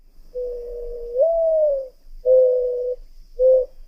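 A dove gives low, soft hooting coos: one long drawn note rising slightly midway, then two shorter coos, the last brief.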